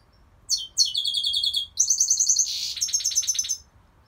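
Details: Goldfinch singing: a fast, bright twittering phrase of high trills and buzzy notes, run together in rapid bursts with a short pause in the middle.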